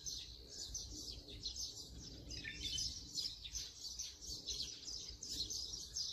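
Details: Brown-eared bulbul recorded with a Sony camera and 200-600mm telephoto lens, giving continuous loud, screechy, overlapping high notes in a rapid chattering stream from start to finish over soft low ambient noise.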